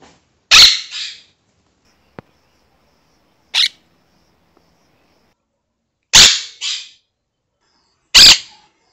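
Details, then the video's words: Pet monk parakeet (caturrita) in Rio Grande do Sul, Brazil, giving its scream: loud, harsh, raspy screeches, some doubled, every two to three seconds with quiet between. "O Grito da Caturrita!"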